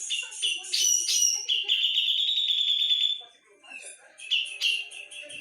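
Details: Javan grey-cheeked bulbul in full gacor song: bright, fast whistled notes run into a sustained, slightly rising trill. After a short pause, further sharp chirps follow.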